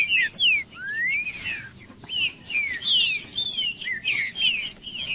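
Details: Green-winged saltator song used to warm up a cold caged bird. Clear whistled slurs, some rising and some falling, come in quick succession among fainter, higher chirps.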